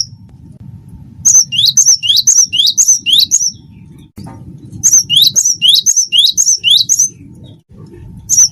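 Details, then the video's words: Tutor song of a cinereous tit (wingko variety), meant to prompt other birds to sing: two runs of about seven sharp two-part phrases, an upward sweep then a bright whistle, roughly two per second, with low background rumble. "gelatik batu wingko gacor masteran burung gacor"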